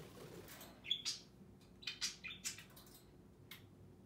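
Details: A talking budgerigar perched on a finger, after another budgie took over his cage, gives scratchy, high chattering squawks and chirps in short bursts, roughly one a second, over a faint low hum.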